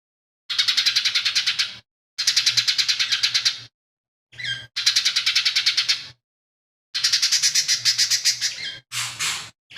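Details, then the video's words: Lesser green leafbird singing a sequence said to contain fighting sparrow, buto kingfisher and cililin imitations, kept as a tutor bird; repeated bursts of rapid, dense, grating trills, each one to two seconds long, with brief rasping notes. "CUCAK IJO MINI GACOR"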